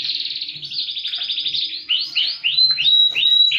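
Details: Canary singing as a lure for silent canaries and a master recording: a rapid high trill lasting nearly two seconds, then rising swooped notes and a pure sustained whistle between buzzy bursts.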